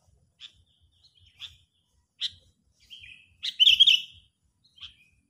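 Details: Sooty-headed bulbul calling as a trapping lure, sounding agitated; scattered short sharp chirps spaced about a second apart, then a brief louder burst of bubbly whistled notes and a final chirp.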